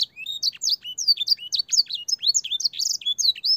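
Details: Canary master song for training young canaries, filled with blackthroat and sanger phrases: a long, clear, nonstop run of fast whistled sweeps and slurred chirps, rising and falling notes packed tightly together.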